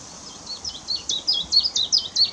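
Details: Willow warbler, a mixed singer that also gives a muted call, at Whitlingham on 2 May 2017, singing a quick run of high, sweet slurred notes, each dropping in pitch, about five per second and growing louder.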